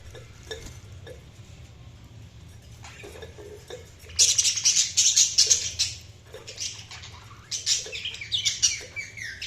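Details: Budgerigars chirping: a quiet start with soft clicks, then from about four seconds dense bursts of high, scratchy chirps and trills that come in quick clusters.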